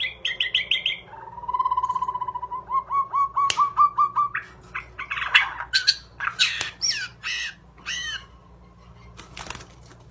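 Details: White-rumped shama, described as an expensive class bird, delivering a fast series of repeated notes, then a long rapid trill of rising whistles, followed by harsh scratchy bursts and sharp clicks.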